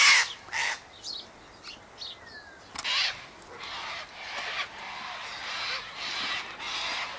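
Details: Sulphur-crested cockatoos feeding on sunflower seeds, wheat and a birdseed mix tossed out by an eastern gate; short harsh screeches at irregular intervals, one louder raspy cry near the middle, then a steady wash of fainter, overlapping squawking.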